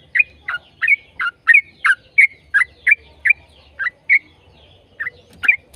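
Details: Yellow-vented bulbul song played to draw other bulbuls into singing: a steady series of separate chirpy, liquid notes, about three every second. A single louder note closes the phrase.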